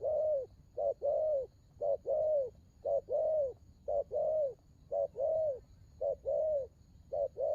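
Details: Spotted dove in a rapid 'đồng gù rước' cooing bout, about ten quick two-note phrases, a short lead-in note and a fuller rounded coo, repeated almost every 0.75 seconds with steady rhythm.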